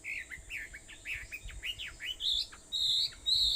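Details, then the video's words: Wild birds singing on Aobayama, Sendai, at 4:30 in the morning on 21 July 2014: a quick run of slurred, swooping whistled notes gives way to higher, buzzy trilled phrases, over a steady thin high hiss. "Sound of Birds on Aobayama, Sendai, 2014.7.21 (4:30)"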